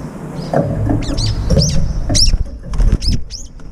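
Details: Feeding brown-eared bulbuls fighting off rivals at a food dish: a series of sharp, piercing falling squeals roughly every half second, with low thumps and rumbling beneath.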